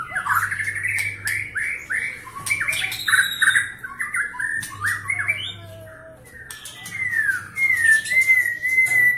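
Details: Fast-singing Medan white-rumped shama with rich mimicry of cililin, canary and lovebird, trained for the 2019 Presiden Cup, pours out quick repeated upward slurs, rattles and clicks, ending in a sustained clear whistle, with a steady low hum behind.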